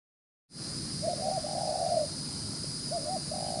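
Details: Wild-trapped spotted dove cooing quickly: a trill-edged opening, then one long hollow coo and a short double note, followed by another coo, over a steady high hiss.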